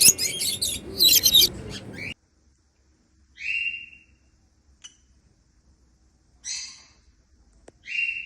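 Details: African lovebirds flying freely and making happy sounds: a harsh chattering burst opens, then single clear whistled notes spaced about three seconds apart with silence between.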